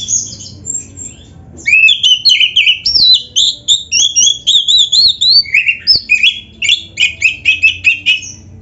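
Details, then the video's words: Gacor kacer, white-rumped shama, singing as a lure: after a brief phrase and pause, a long energetic run of varied chips and whistled slurs in quick rhythmic succession. "SUARA BURUNG KACER GACOR ISIAN‼️Masteran Kacer Gacor ini Cocok Buat Pancingan - AGAR CEPAT GACOR"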